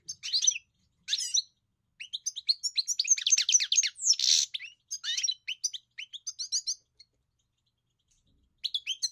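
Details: European goldfinch song in bursts: quick jangling twitters and high tinkling notes packed into phrases, broken by short pauses, with a scratchy buzz midway and a final burst after a longer silence.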